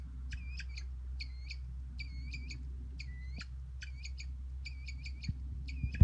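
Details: Newly hatched Northern bobwhite chicks in New Jersey, part of a quail restoration project, give high, thin peeps in quick bursts of two to four notes, about once a second, over a low rumble of wind or handling noise.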